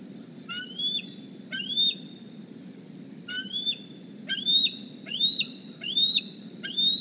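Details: Morning begging by a GPS-tagged young bald eagle flying to its Decorah nest looking for a meal: seven shrill, whistled squees in uneven spacing, clustering faster toward the end, with a continuous high-pitched hum and soft low rumble behind.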